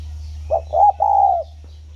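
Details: Caged spotted dove, kept ten years on a farm at Ba Vi, Vietnam, 29 October 2020, uttering a short three-part cooing phrase, the last note longest, against a constant low hum.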